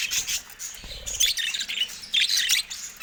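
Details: Caged budgerigars pecking at a camera. Quick scratchy chirps and warbling chatter in uneven bursts, mixed with rubbing and scraping noises.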